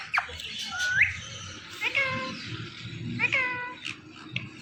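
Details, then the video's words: An Indian ringneck, or rose-ringed parakeet, says "mithu", giving four short, voice-like calls in under five seconds, some rising and others dipping, with a nasal, meow-like tone over a low room murmur. "Indian Ringneck Parrot Saying Mithu Mithu"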